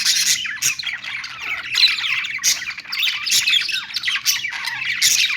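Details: Budgerigars chatter and warble nonstop, a dense overlapping stream of scratchy chirps and squawks with brief louder bursts about every second.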